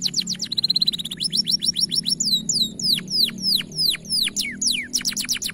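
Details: Masteran song of a bright-coloured canary, powerful and long: quick falling trill notes, a short steady rolled tour, then repeated loud downward-swooping whistles about three per second, ending in fast trills.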